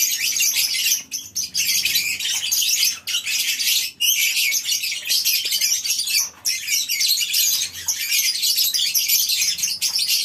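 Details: Many lovebirds in a colony aviary on a breeding farm in the morning: dense, continuous high shrill chattering and squeaking from numerous birds, with brief dips in volume.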